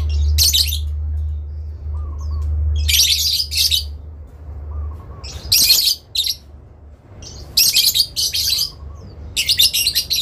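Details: Adult lovebirds trading long ngekek calls, answering each other and calling out to a rival: harsh, noisy shrieking bursts in short clusters every couple of seconds, with a steady low hum underneath and faint soft warbles between.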